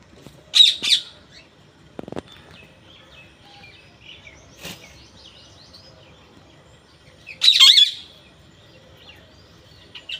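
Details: Two bursts of harsh parrot squawking, roughly seven seconds apart, with a soft thud and faint scratchy sounds in the quiet between them.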